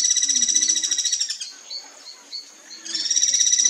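Guira cuckoo giving a harsh, high, rapidly pulsed chatter in two bursts, with a brief gap of softer chirps between them.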